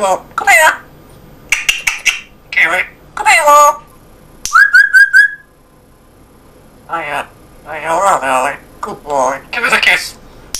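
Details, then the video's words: Indoor pet male African grey parrot talking in a Yorkshire-accented English voice; many short word-like phrases with clicks, broken by a rising whistled run near the middle. "English Accent African Grey. Amazing voice!"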